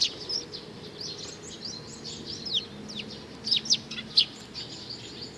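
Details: Sparrows coming to be fed, recorded 15 May 2019: scattered high, short chirps, several bunched near the end, over a steady background hiss.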